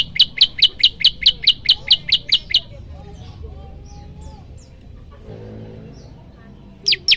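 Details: A dozen ringing, high chip notes from a prenjak lumut in a fast, regular series of its loud 'tembakan' song, then a pause with faint twitters before two more sharp notes.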